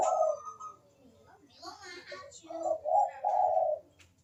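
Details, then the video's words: Barbary dove with 'kuk deruk' manggung cooing, played as a lure for doves that are slow to call: a short coo, a stretch of scratchy noise, then hoarse, rising, repeated notes with a low hum behind. "KUK DERUK BURUNG PUTER GACOR MANGGUNG"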